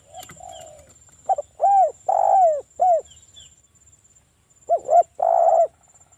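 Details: Local spotted dove (tekukur) recording used as a lure to draw wild doves: low, mellow coos in a short phrase of about five notes, a pause, then two more rounded coos; otherwise quiet.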